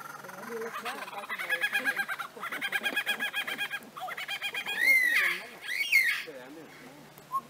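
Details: Superb lyrebird (Menura novaehollandiae), mimicry song.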